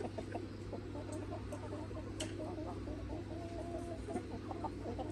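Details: Free-range chickens, a red rooster with his flock of hens on a farm: a steady run of soft, low, repeated clucks over a constant low engine-like hum.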